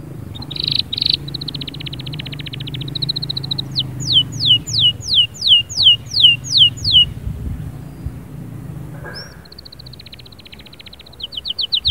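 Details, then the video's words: Canary singing vigorously in a song meant to stir a quiet canary into song: high buzzy trills, a steady rattling roll, then about ten loud descending whistled sweeps in a row, a pause, and another fast trill with faint low hum beneath. "اياك وتقول عصفوري الكناري ساكت أدخل عليه البهجة بالمقطع الاكثر تحفيز نار نارcanary"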